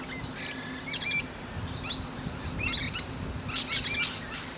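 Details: Musk lorikeet perched on a tree branch, resting and chatting to other birds; shrill, high screechy chirps in short bursts about once a second, over a steady low hum.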